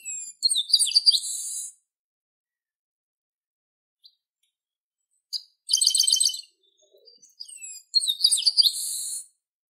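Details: Song of the chestnut-capped blackbird (garibaldi, Brazil): a buzzy, metallic phrase with warbled notes ending in a long rasping trill, repeated about every four seconds, with a quick stuttering burst of high notes between; clean, quiet recording.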